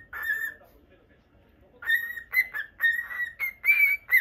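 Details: Indoor caged cockatiel of lutino colouring gives one short whistle, falls silent for over a second, then delivers a quick series of bright whistled notes that creep gradually higher.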